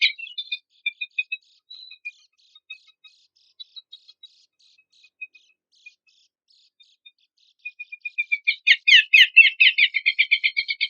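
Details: Horsfield's babbler song from a songbird-training compilation: sparse, thin chips and short notes spaced irregularly, building after eight seconds into a loud, rapid chattering burst of repeated harsh notes.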